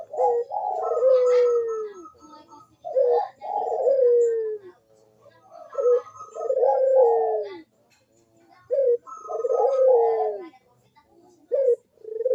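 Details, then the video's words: Repeated coos from a Barbary dove, used to prompt quiet doves into cooing: a rolling phrase, a short burst then a drawn-out descending coo, given three times with pauses between, with a brief clipped note at the end. "PANCINGAN BUNYI PUTER PALING AMPUH UNTUK BURUNG PUTER YANG MALAS BUNYI"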